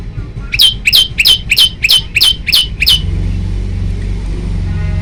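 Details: Male prinia recorded at night on a phone, sounding eight loud, sharp, high notes with a downward flick, about three per second, before falling silent over a steady low hum.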